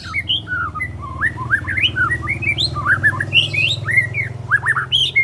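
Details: Spotted juvenile white-rumped shama, three months old, working on besetan and sharp tembakan notes, pouring out a steady flow of varied looping whistles over a low background hum.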